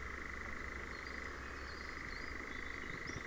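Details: European nightjar in Ringwood Forest near Verwood, Dorset, giving a steady, unbroken mechanical churr like a distant motor, with faint high bird whistles and a low rumble underneath.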